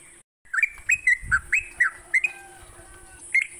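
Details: Sooty-headed bulbul singing in the morning, used as a lure to get captive bulbuls singing: a burst of short, bubbly whistled notes, each rising then dropping, about eight in quick succession, over a faint steady high hiss and low rumble.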